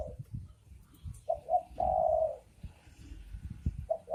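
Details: Male and female spotted doves cooing: a short coo, two quick notes, then a long drawn, slightly falling coo, with another coo starting at the end, over low thumping background noise.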